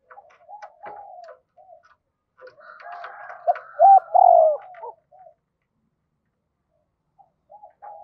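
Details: Decoy spotted dove calling in a double-voice cooing style to provoke wild doves: scattered soft coos and clicking sounds, then a loud burst of short rising notes ending in a strong falling coo, followed by faint coos.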